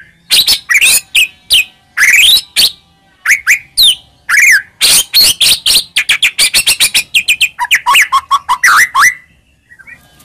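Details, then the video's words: White-rumped shama song for provoking a quiet shama: rapid, varied phrases of sharp high whistles and chips, speeding into a dense, stuttering run, then lower clipped notes before fading out. "Pancingan Handal Buat Murai Diam Seketika Langsung Emosi"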